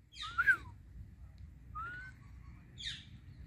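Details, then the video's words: Talking pet Indian ringneck parakeet gives three short whistled notes, the first swooping down, the second a level whistle, the third a brief squeaky burst, with quiet low hum behind. "My Non Stop Talking Ringneck Parrot"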